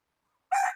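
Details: Domestic rooster giving a brief, loud harmonic crow burst lasting about a quarter second after a silent start.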